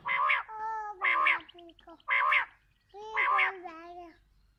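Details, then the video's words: Quail calls played as a lure for trapping quail: four harmonic, slightly nasal notes about a second apart, with faint lower drawn-out tones trailing between them. "Batair ki awaz"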